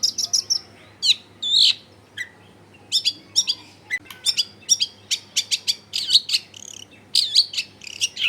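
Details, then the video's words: Energetic long-tailed shrike song meant to lure other shrikes into answering, taped at a house in a dense residential area: rapid high chirps, sharp scratchy notes and short whistles following each other almost without pause, over faint low hum. "SUARA CENDET GACOR PIKAT AMPUH BIKIN BURUNG CENDET LAIN LANGSUNG ON DENGAN MUDAH NYAUT GACOR DOR"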